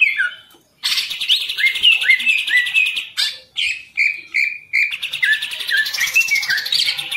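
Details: Green leafbird in a cage sings short downslurred whistles, repeated several times in quick succession, mixed with bursts of fast buzzy chatter.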